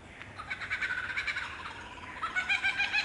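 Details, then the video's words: Wild lyrebird in Australia singing from a branch in cool temperate rainforest in the morning. A fast, rich warbling run of whistled notes, some sliding and rippling, repeats rapidly over a faint forest background. "Lyrebird sings on a branch in cool temperate rainforest (Птица Лира поёт в прохладном дождевом лесу)"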